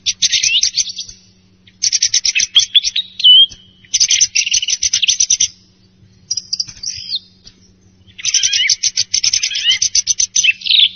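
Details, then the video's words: Song thrush morning and roosting calls: loud bursts of rapid, high, rattling and whistled notes, each phrase about a second long with short pauses between, over a faint low hum. "صوت السمن صباحي و مبيت ، السُمنة المغردة"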